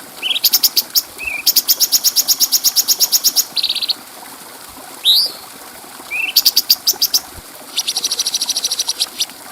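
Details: Bulbul song meant for teaching other caged birds, recorded clearly: short rising whistled notes lead into long runs of fast, evenly spaced high ticks and a buzzy trill, repeated in several bursts over soft background hiss.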